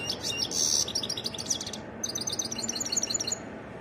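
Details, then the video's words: European goldfinch delivering varied song: a sharp buzzy phrase and high chattering notes, a brief pause, then a fast run of clear, repeated twittering syllables, all high-pitched over soft hiss. "تغريد حسون متنوع"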